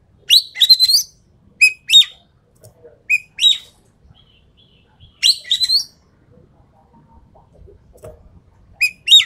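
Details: Sumatran treepie, an endemic species, in training and lure playback: scattered phrases of a short clear whistle plus harsh rising chatter, separated by gaps of several seconds, with faint low background noise.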